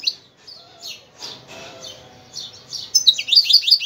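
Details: Algerian goldfinch giving scattered high, slurred notes over a faint low background, then bursting into a quick run of bright, sharp twittering chirps at the end.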